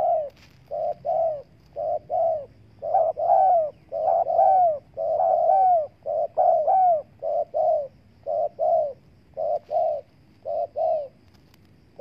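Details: Spotted dove call used to lure wild doves: soft, low hooting coos in pairs and short runs, repeated almost once a second with brief gaps, on a quiet background.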